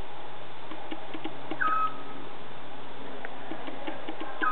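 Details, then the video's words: Scops owl calling: a single short, clear whistled note, slightly falling, followed about three seconds later by the start of another. A steady low hum and faint clicks run through the background. "scops owl calling"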